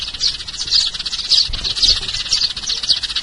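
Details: Sparrow lure call, a rapid run of high chirps roughly twice a second, irregular and busy, slightly rough in tone.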